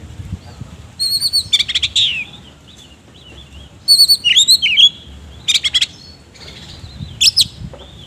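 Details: Oriental magpie-robin singing actively in the loud ngobra style with rough fill-in phrases (isian kasar): clusters of high whistled and sharp chattering notes in bursts around one and four seconds, then shorter trills near five and a half and seven seconds.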